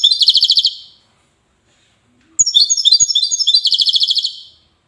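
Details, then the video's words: In the Widani style, a European goldfinch from Safi, Morocco, gives a short trilling phrase, then after a pause a longer run of buzzy, chattering notes ending in fast, even trills. "حسون ويداني"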